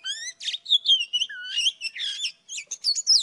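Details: An old wild Oriental magpie-robin sings in the morning, mixing clear whistles that wavers and dip low with scratchy, raspy notes and a final cluster of high sliding chirps.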